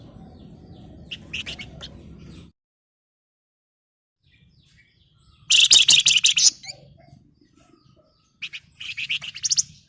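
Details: Flamboyan singing: a few high chirps over low noise, then silence, then a long, intense, buzzy rattling trill and a second shorter rattle near the end.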